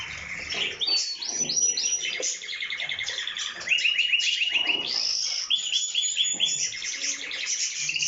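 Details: Canary singing loudly; a continuous, varied song of rapid trills, rolling repeated notes and sharp chirps, with busy overlapping phrases and possibly other birds.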